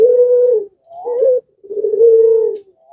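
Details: Barbary dove of the pelung type, in breeding condition and cooing so that other doves answer. Three low coos: a long steady one, a short wavering one, then another long held note.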